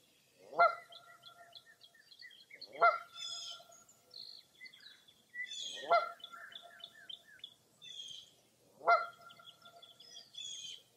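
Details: Foggy early April dawn at Mirror Lake State Park in Baraboo, Wisconsin: loud honking calls roughly every two to three seconds, four in all, with quick high twittering and chirps from smaller birds between them.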